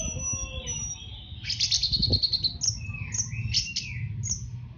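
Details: Orange-headed thrush master song in the fast 'teler' style, used to train caged birds. Varied clear whistles and short high notes, some sliding down, come in quick uneven bursts over a steady low hum.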